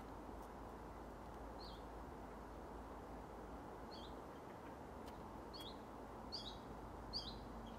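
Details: Willow warbler recorded on 3 August 2024: short high chirped notes, a few scattered early then repeated about every half second near the end, over steady low rumbling background noise.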